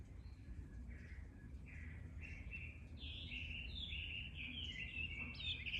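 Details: Blue rock thrush exchanging calls, heard on a walk: a quick run of short whistled, warbling notes, rising and falling and coming faster toward the end, over a constant low background rumble.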